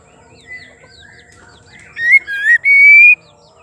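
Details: Female white-rumped shama song used to excite male shamas: soft warbled notes at first, then a loud phrase of two short whistles and a long pure rising whistle.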